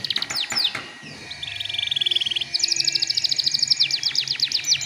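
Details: Canary singing a stimulus song meant to spur other canaries into song. Sharp downslurred notes open, then a steady buzzy trill, followed by a long rapid rolling trill of clipped high notes.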